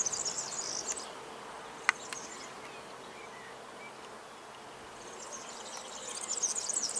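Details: European serin singing. A very high, thin, buzzy jingling trill, almost insect-like, runs for about a second, pauses with a few faint clicks, then returns more strongly near the end.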